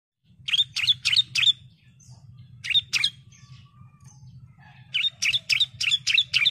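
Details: Bar-winged prinia, a female calling for males, giving quick bursts of three to five sharp, high chirps, pausing between bursts, over a steady low hum.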